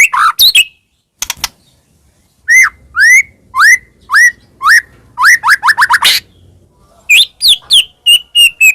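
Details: White-rumped shama song used as a lure for birds: loud rising whistled notes repeated about twice a second, a fast run of similar notes, then sharp clicks and a series of high whistles with harmonics.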